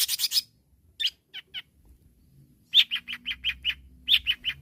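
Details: Long-tailed shrike calling rivals: a burst of harsh, scratchy notes, a pause with a few scattered chirps, then a steady string of short clipped chirps, about four per second.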